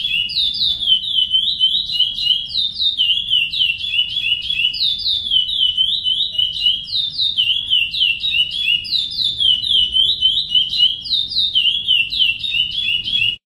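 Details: A chestnut-bellied seed finch sings the "praia" song type, a rich, continuous run of sweet whistled phrases sliding and warbling in a high, steady stream with hardly a pause. The song is used to tutor young birds.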